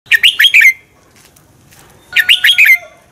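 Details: Red-whiskered bulbul competition song, a morning decoy recording for training other bulbuls: a quick phrase of four or five loud, clear whistled notes that rise and fall, then a pause and the same phrase again. A faint steady tone sits under the second phrase.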